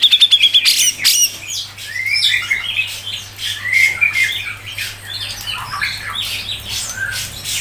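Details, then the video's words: Grey-cheeked bulbul on a tutor recording for training songbirds gives a fast run of harsh, squawky chatter, with a few thin whistles at the start, over a low electrical hum. "CUCAK JENGGOT MBESET NGEPIK RAPET"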